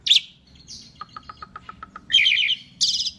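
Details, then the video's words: Asian pied starling singing, a training recording: a sharp harsh note and a thin whistle, a soft run of evenly spaced low ticks, then two bursts of loud scratchy chatter. "kicau jalak suren masteran gacor"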